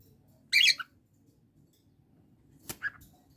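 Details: Pet Indian ringneck parakeet spending bonding time with cockatiel companions indoors; a loud harsh squawk burst, then a short sharp note and a quieter squawk pair near the end, over low background hum.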